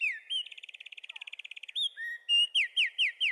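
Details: A wren sings a rapid buzzing trill of many even pulses, then scattered sharp whistles, ending in four loud downward-swept notes repeated quickly; high, piercing and clear against silence.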